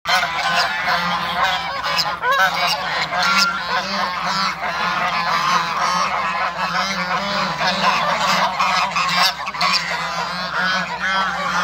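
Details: Flock of African and Toulouse geese at a farm, calling while meeting another animal: a dense, continuous chorus of harsh, overlapping nasal honks with no pauses throughout.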